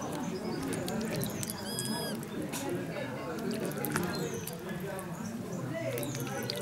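A spotted whistling duck gives a brief, thin, high whistle that rises then falls, with fainter whistles near the end over a steady rustling background.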